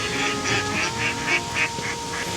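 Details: Canada geese flying across a sunny wetland reserve at RSPB Otmoor, Oxfordshire, in the late afternoon, honking in a string of nasal, two-toned honks about every quarter second, with a steady low hum behind.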